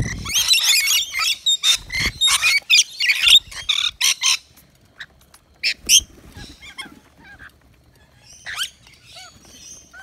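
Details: Rainbow lorikeets feeding on wet nectar mix at a balcony feeder in Australia: loud bursts of grating, screeching squawks in quick succession for several seconds, then sparser, softer chirps and short shrill notes with quiet gaps.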